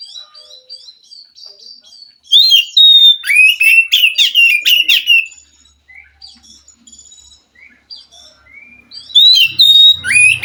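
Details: Wild forest Oriental magpie-robin singing in response to a captive bird reluctant to sing: bursts of loud, varied whistled and scratchy notes sweeping up and down, with quieter thin phrases in between and a low rumble near the end.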